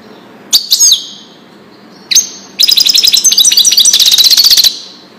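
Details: Song of a European goldfinch in the Wadani style, meant for young birds to learn from. Two brief sharp calls come first, then a two-second burst of rapid, ringing, buzzy twittering.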